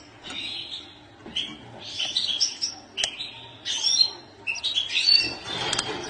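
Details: Goldfinch singing a fast, twittering run of bright chirps and trills in uneven bursts, with a clicking sound and low constant hum behind it.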